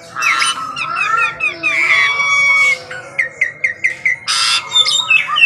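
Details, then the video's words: An Asian pied starling sings in the morning, mixing harsh grating notes and slurred whistles, then a rapid row of short clipped notes and a final noisy burst. "KICAUAN JALAK SUREN GACOR PAGI HARI"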